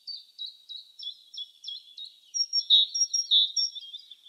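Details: Great tit (Parus major) in spring in the wild. Short, varied whistled notes come in an uneven sequence, building into louder, ringing paired notes toward the end.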